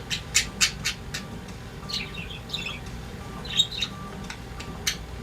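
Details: Pet budgerigars singing together; a mix of sharp clicking chirps, scratchy squawks and brief warbled phrases, irregular and busy, over a low room hum.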